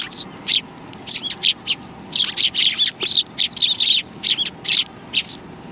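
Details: At a Tenmangu shrine, 16 January 2020, sparrows arriving for food chirp in irregular high bursts, sparse at first, then a thicker tangle of tweets before thinning out again.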